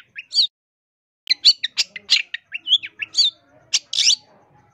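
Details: Long-tailed shrike in lively song rich in varied phrases, a training recording for caged birds and for luring; two chirps, a one-second pause, then a busy chatter of high, mixed notes.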